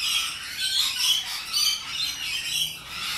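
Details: Rainbow lorikeets in the wild in Australia, loud and noisy social parrots, giving dense overlapping harsh screeching squawks, high-pitched and continuous with rising and falling surges about once a second.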